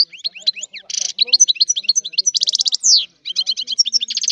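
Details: Energetic European goldfinch song of quick, high twittering notes mixed with dense buzzy trills and one drawn-out downslurred note, continuous throughout.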